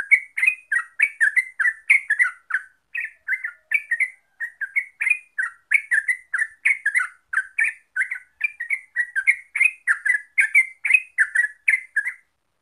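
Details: Yellow-vented bulbul, locally trucuk, in a long, steady, fast 'gacor ropel' song used as a lure recording: continuous chattering, bubbling phrases of short rising and falling notes, with thin high ticks, and no other sounds.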